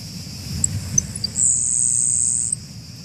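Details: A critically endangered Florida Grasshopper Sparrow in Central Florida grassland gives a few thin, high ticks, then its dry, insect-like grasshopper buzz held about a second, over a low rumble; paired birds warble differently.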